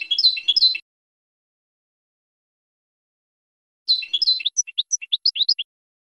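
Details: A European goldfinch song for teaching young birds, heard in two bursts: a quick jumbled twitter, a silence of about three seconds, then a twitter trailing into clipped high notes roughly six per second.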